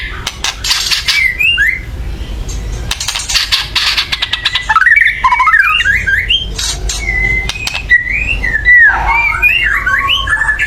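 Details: White-rumped shama in agitated chattering meant to provoke birdsong: dense clicking rattles alternating with wavering, twisting whistled phrases, over a low constant hum.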